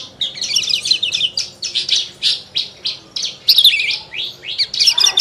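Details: Loud, lively song of a Horsfield's bush lark, a rare lark noted for imitating other birds: rapid high chirped notes about three per second, with a fuller, brighter burst midway.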